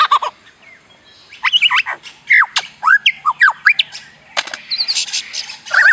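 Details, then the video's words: Lyrebird in forest repeating sounds it hears: a loud run of varied whistled notes, sharp downslurs and upsweeps, interspersed with clicks and brief harsh bursts. "Lyrebird repeats sounds it hears in forest (Chainsaw)"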